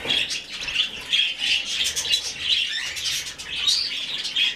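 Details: Rescued budgerigar chick begging while being hand-fed, a rhythmic series of hoarse, buzzy pulses rising and falling about twice a second.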